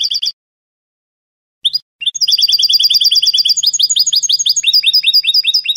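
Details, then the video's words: European goldfinch singing Spanish salon-style song, a brief high twitter, a pause, then a long fast run of sharp repeated double-toned notes that shift pitch partway through, with no other sounds. "CANTO DE SALON JILGUERO"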